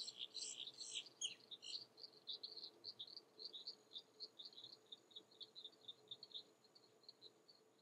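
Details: On a spring morning in Florida's Mallory Swamp, a King rail among spatterdock persistently gives a long, steady series of dry, clipped kek notes, three or four a second, after a brief louder chattering burst; faint hum.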